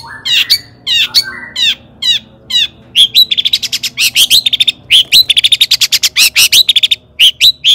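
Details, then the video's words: Long-tailed shrike singing hard as a lure to provoke other shrikes, "toet toet" style: slow, buzzy, descending phrases at first, then a rapid chattering stream of high chips and downslurred notes. "cendet gacor AMPUH TOET TOET PANCINGAN CENDET AGAR BUNYI"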